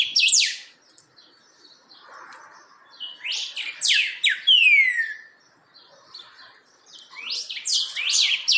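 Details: Rufous-bellied thrush (chalchalero) steadying its song: loud bursts of sharp, high descending notes, then a long smooth downslurred whistle near the middle, quiet gaps between phrases, and a faint low murmur in the background.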